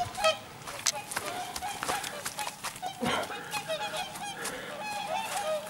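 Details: Whooper swans (Cygnus cygnus) leaving southward on migration, morning of 10 October 2014, give flight calls: loud bugling honks, several birds overlapping in an irregular chorus; whooper swan.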